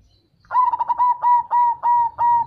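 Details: Cemani zebra dove, a black kept variety, singing its deep bass song meant to prompt local and crossbred doves to reply: one long phrase of quick clipped notes slowing into evenly spaced, drawn-out coos on a steady low pitch.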